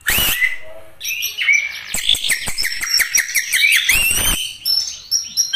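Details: Murai batu, the white-rumped shama, pouring out a dense gacor song: rapid rising and falling whistles packed together with rattling clicks and harsh bursts, and no pauses.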